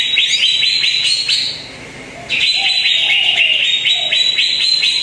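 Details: Greater green leafbird lure recording aimed at a quiet bird: dense bright chattering chirps, a short lull, then a long run of rapid high twittering with faint low whistles underneath.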